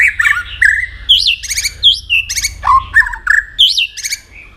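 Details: White-rumped shama singing competitively, a varied many-voiced song of rich whistles, upward-flicking high notes and lower slurred phrases, changing pattern every half second.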